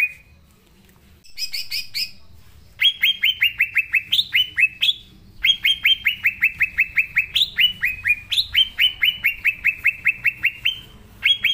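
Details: Green leafbird in full song, used as a training lure for young birds not yet in song. A few high, harsh notes open a long, fast run of bright, descending whistles, with occasional higher rising notes.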